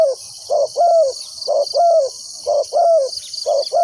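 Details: Spotted dove used as a decoy, calling to lure wild doves into a trap: low mellow coos in pairs, a short note then a longer falling one, about once a second, over a steady high insect drone.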